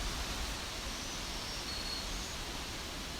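Steady broadband rushing like falling water or heavy rain fills the whole recording, with no animal voices.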